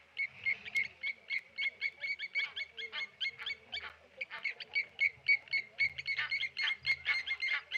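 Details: Blacksmith lapwings at the Okaukuejo Resort waterhole, dive-bombing a Tawny eagle: ringing, anvil-like clinks repeated quickly and almost continuously, several birds overlapping, with a soft low rumble in the background.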